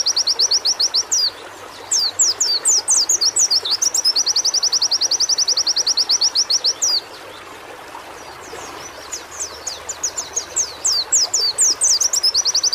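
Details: White-eye song played to encourage birds to sing: bursts of rapid, high, clipped repeated notes alternating with clusters of thin falling whistles, a brief lull, then the whistles and trill return.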